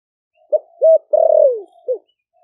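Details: Caged spotted dove, Vietnam's Ninh Thuận province, four months since capture, cooing in the heavy 'thổ sấm' style to call other doves: one phrase of four low notes, the third long and sliding downward.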